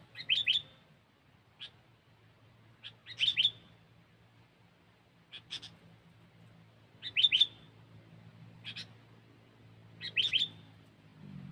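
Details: Sooty-headed bulbul (kutilang) cengkeram song used as a lure: brief bubbly phrases of two or three sharp whistled notes repeated roughly every one to two seconds, separated by single clipped chirps, over a steady low hum.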